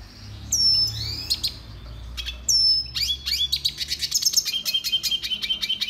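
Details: High whistled notes from a red siskin, then a quickening run of rapid chirps and buzzy trills, part of a song training recording.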